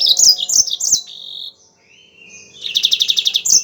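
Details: Lively yellow-fronted canary song: sharp, high twittering phrases, a short quieter gap, then a rapid trill of about nine even, rattling notes rounded off by a bright chirp. Kept as a tutor recording to prompt singing.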